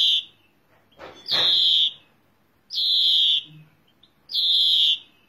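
A European greenfinch gives three long, nasal, wheezing notes, each drawn out for over half a second and repeated about every one and a half seconds.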